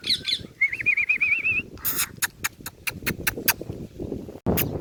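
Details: Rose-ringed parakeet, a hand-tame talking ringneck that speaks Urdu and Hindi, sitting on a hand; brief voiced phrase, then a rapid wavering whistled warble, followed by a string of sharp clicks and harsh bursts against low background rumble.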